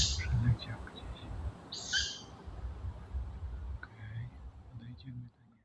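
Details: Hissy squeaks from two juvenile tawny owls sitting high in a tree, birds said to stay silent in daytime and turn noisy after dark; two short wheezing bursts two seconds apart, then fainter squeaks amid low rumble.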